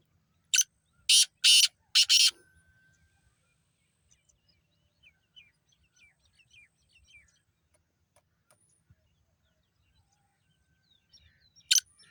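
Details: Black francolin giving a quick burst of four harsh rasping notes at the start, then a long quiet stretch with faint small chirps from other birds and one last grating note near the end.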